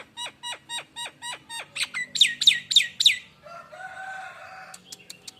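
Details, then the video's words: Nias hill myna lure song from a lively, vocal bird: a rapid run of about ten downward-slurred whistled notes, growing louder, then a lower drawn-out warbling phrase and sharp clicks. "suara Pancingan burung jalak Nias"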